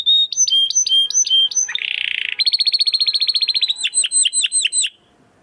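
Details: Estralando song of a Belgian canary: crisp whistled notes, a short harsh buzzy burst, a rapid even trill, then spaced chirps before the bird stops.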